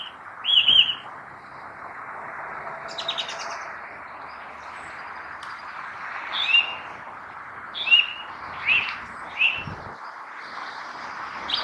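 A Song Thrush sings short, bright whistled phrases, several repeated in quick succession, over a steady background hiss.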